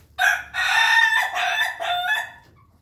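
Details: Ayam Ketawa rooster among a flock eating in the coop, giving a loud, rich harmonic crow broken into several linked segments lasting about two seconds, then fading away.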